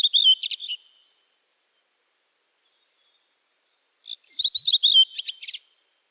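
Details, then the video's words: Redwing singing: two short bursts of high, squeaky twittering with quick chirped notes, separated by about three seconds of silence. No other sounds. "Дрозд белобровик. Красивое пение птиц"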